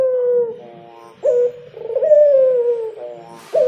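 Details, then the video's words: Spotted dove singing: low, mellow coos held and gently sliding downward, with a short sharp rising note near the start and again at the end, over quiet background. "Suara Burung Derkuku Yang Enak Dan Nyaman didengar Burung Tekukur Bernyanyi"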